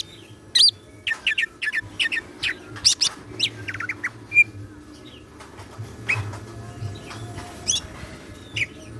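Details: Caged greater green leafbird singing actively with siklon-style fill material, part of a keeper's collection: scattered sharp, high chirps and quick downslurred notes, one clear short whistle near the middle, over a steady low hum.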